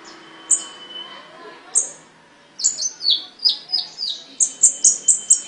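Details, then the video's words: Caged songbird giving sparse thin high whistles, then a quickening string of sharp bright chips and slurred notes, repeated roughly twice a second; a faint steady tone runs underneath. "The voice of a bird, (Suara burung), Burung kicau, Burung Sangkar"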